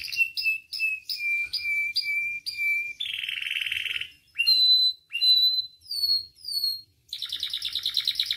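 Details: Canary song for training and provoking canaries to sing: evenly spaced whistled notes, about three a second, then a dense buzzy roll, rising slurred whistles and another rapid trill.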